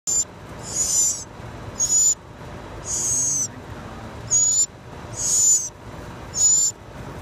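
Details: Baby jays in a nest on a rural property, waiting for their mother to return with worms; thin, very high squeaky bursts come about once a second, each under half a second, against a faint steady background hiss.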